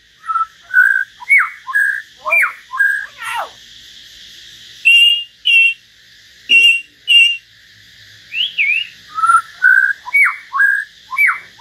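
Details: Common hill myna singing solo beside a white-rumped shama: long series of loud, clear, sliding whistles about twice a second, broken midway by harsh chattering bursts and a rising-falling whistle.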